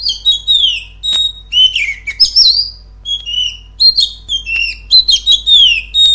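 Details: Oriental magpie-robin song, used as a lure to make a kept bird sing louder: rich, varied whistled phrases with rapid slurred, rising and falling notes and sharp chirps, delivered in dense bursts with short pauses.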